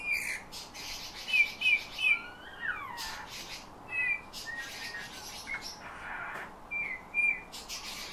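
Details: Eurasian bullfinch taught to sing by its owner, mimicking whistled tunes plus nightingale and thrush phrases. Clear piping notes repeat in quick runs, sliding downward in long glides, interspersed with creaky chatter and a breathy noisy patch.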